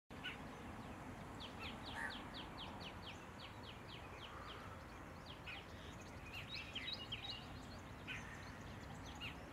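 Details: Black-rumped flameback, also called lesser golden-backed woodpecker, giving a fast series of sharp high notes for about four seconds. The notes are followed by scattered chirps over a steady low rumble of background noise.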